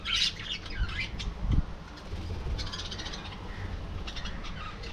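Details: Budgerigars in an aviary colony giving harsh squawks and scratchy chirps in uneven bursts, loudest at the start, with a low thud near the middle and faint background chatter.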